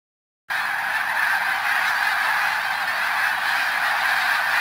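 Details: Snow geese at Middle Creek Wildlife Management Area in Pennsylvania; a dense flock gives a constant roar of overlapping nasal honks, with no gaps between calls, after a brief silent start.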